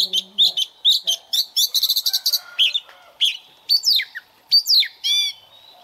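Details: Young Oriental magpie-robin warming up its voice in the morning, singing a rich varied run of whistled notes, rapid chattering bursts and sharp downslurred phrases, with a brief low hum at the start.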